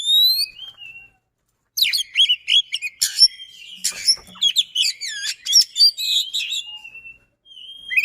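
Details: Lure song of a kacer, or Oriental magpie-robin, delivered fast with good duration: a few clear whistles, a half-second pause, then a crowded torrent of chips, trills and sliding whistles running to the end.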